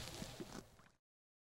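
Greater sage-grouse giving two quick, low, hollow pops over a squishy, swishing rustle, all within about a second, then silence.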